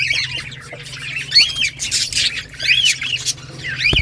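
Budgerigars chatter in a busy mix of warbles, squeaky chirps and harsh scratchy notes.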